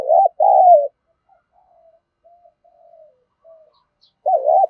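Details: Spotted dove cooing to lure wild doves: a loud low double coo opens, faint soft coos trail through the middle, and another strong wavering two-part coo closes.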